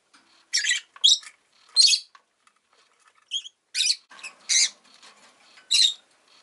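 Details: Domestic rosy-faced lovebird uttering irregular shrill, buzzy chirps, some clipped and some drawn out, about seven in six seconds, over faint rustling and clicking.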